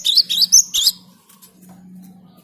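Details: Cinereous tit used to lure birds: four quick, high, upturned whistled notes in under a second, followed by a low steady hum.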